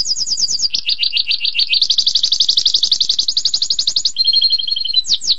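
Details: Canary in extended song: fast high chip series shifting into dense rolling trills at varying pitches, ending with a steady two-toned whistle and sharp notes.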